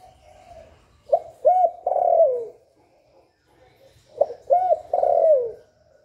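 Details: Spotted dove calling and cooing to stimulate other doves: two matching three-part phrases three seconds apart, each a short note, an arched coo and a long coo falling at the end, over soft background cooing.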